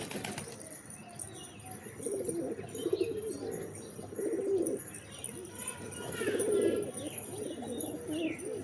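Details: {'caption': 'Quiet pigeon coos, low and rolling, in loose overlapping phrases, with occasional wing flutters and a faint high-pitched ringing throughout.'}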